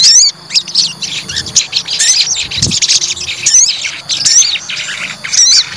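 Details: Fighter white-rumped shama, deliberately provoked to test its nerve, pours out rapid high chirps, sharp rising and falling whistles and squeaky notes in a dense, near-continuous stream, with a brief low thump near the middle.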